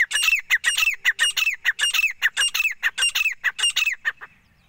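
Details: Male grey francolin calling the female: loud, harsh, squawking notes repeated rapidly in a steady series of about a dozen bursts, each with a falling tone, then the calling stops and it falls quiet.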